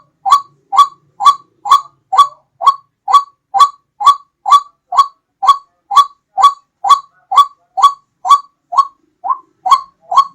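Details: White-breasted waterhen call played as a hunting lure, loud and clear: a steady series of harsh, nasal, ringing notes, each rising then dropping, about two per second with very even rhythm throughout.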